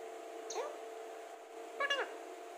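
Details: Alexandrine parakeet, a talking parrot, giving two short harmonic vocal phrases, each a quick falling then rising sweep, about a second apart, over a steady low electrical hum in a quiet room.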